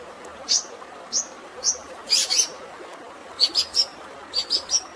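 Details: Shrike song with fighting-sparrow fill and natural water sound: isolated high, clipped chirps roughly once a second, a louder harsh double burst, then quick groups of three bright chirps against a continuous rushing-water background.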